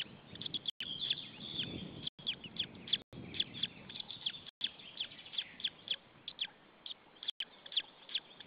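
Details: White-tailed eagle chick chirping alone in its nest in Estonia, afternoon of 26 April 2013, after a parent flew off; high, fast, down-slurred peeps, broken by several short sharp clicks or dropouts.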